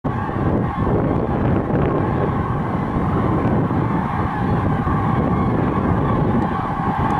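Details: Loud continuous wind or engine-like rumble roars across the microphone, and no animal voice can be picked out.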